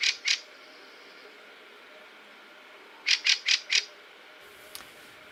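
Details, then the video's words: Harsh 'chack' calls of fieldfares arriving in autumn from Scandinavia and Northern Europe, a flock coming onto trees such as hawthorn or blackthorn; a pair of dry chacks, a pause, then a rapid run of four. "Well, often the first time you realise that there are fieldfares around is when you hear that distinctive chack chack chacky noise"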